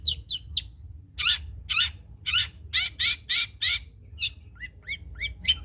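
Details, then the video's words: Long-tailed shrike of the spotted trotol type, kept as a master bird, gives loud harsh buzzy notes about twice a second, then softer short downslurred whistles. "CENDET COCOK DIBUAT MASTERAN BURUNG CENDET TROTOL"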